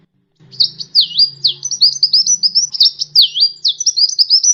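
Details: High, thin sunbird song from a champion kolibri ninja, meant for tutoring cage birds: rapid stuttering trills broken by downward swooping whistles, over a soft low hum.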